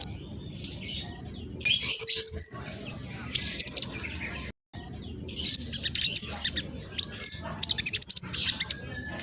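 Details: Fast, noisy song of a spotted black sunbird: bursts of very high, thin twitters and a short zigzag trill, pausing briefly, then resuming with quick stuttering chirps.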